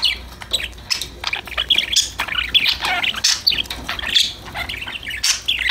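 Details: Happy pet budgerigars playing and chattering together: a dense, continuous stream of overlapping high chirps and warbles, several birds calling at once, with scratchy bursts and a faint low hum.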